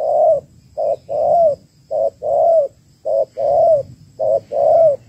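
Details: Female spotted dove calling to stimulate males, used as a trapping lure: rhythmic short-long coo pairs repeated about every second, low and rolling, over a faint low rumble.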